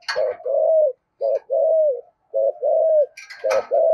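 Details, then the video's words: Spotted dove with a deep 'giọng thổ' voice, cooing to prompt wild-caught doves to answer: three low two-part phrases, each a short note then a long, slightly falling coo, with the start of a fourth phrase and a few clicks. "cu gáy giọng thổ giọng hay thúc gù bổi nghe gáy theo sung mãn"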